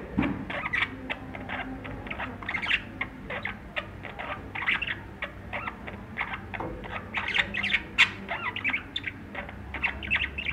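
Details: Budgerigars chattering in a steady stream of short, quick chirps and scratchy warbled notes, with a few sharper squeaks mixed in and no pauses.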